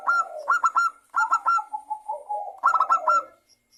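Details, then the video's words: Zebra dove song played as a lure to prompt local and Bangkok zebra doves to sing: bursts of quick staccato notes followed by a lower, softer rolling coo, repeated twice with a short pause between phrases. "Pancingan perkutut lokal agar bunyi dalam 1 menit perkutut lokal dan Perkutut bangkok langsung GACOR"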